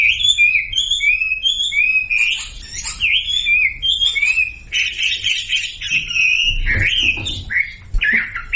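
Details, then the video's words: Sumatran leafbird song used to make silent birds join in: short whistled phrases repeated at first, then a dense, buzzy, jumbled warble, with scattered clicks and low thumps. "SUARA MASTERAN WAMBI UNTUK YANG DIAM IKUT KICAU"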